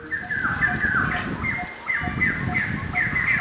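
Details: White-crested Laughingthrush at a semi-wild snake farm in Tien Giang, Vietnam, giving loud, overlapping swooping whistles and chattering notes in quick succession, with a brief high ringing tone and a man's voice underneath.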